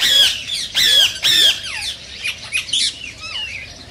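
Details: Green ringneck parakeet, its call said to stimulate mating in other parakeets: three strong grating squawks in the first second and a half, then a trail of quieter, scratchy, chattering notes dying away.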